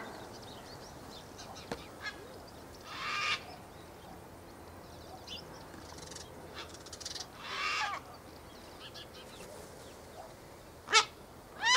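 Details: Flock of ibis, possibly Straw-necked Ibis, foraging and preening far off in a freshly ploughed field in Australia on a warm afternoon after rain: scattered harsh, hoarse grunts and croaks spaced seconds apart, a sharp burst near the end.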